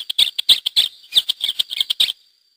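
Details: Wild Lesser grey shrike (Lanius minor), one of a pair with chicks released through hacking in 2009 at the Mas de Melons–Alfés SPA, Lleida, Spain, gives a fast run of harsh, scratchy chattering notes, about a dozen in two seconds, then silence.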